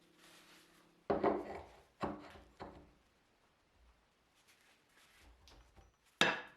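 Hard knocks and scrapes of tools on wood and metal indoors, several loud strikes separated by quieter rubbing, with no animal sound.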